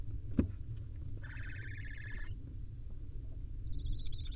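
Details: Wild barn owl nest where the male hands over an awkward prey item, a young swallow, to the nestlings. A single rapid, rattling trill of about one second, a sharp knock beforehand, and a faint thin call at the end.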